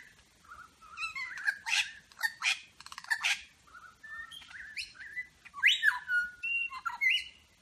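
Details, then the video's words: Superb lyrebird of Berowra Valley National Park running through borrowed calls of local birds: dense harsh chatters and rattles mixed with short whistled notes and rising slurs, delivered in quick succession. "Lyrebird medley"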